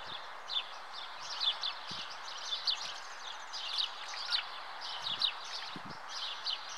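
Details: House martins calling at the nest: quick, scratchy chirps and short twitters in bursts every half second or so, with light rustling and soft low knocks underneath.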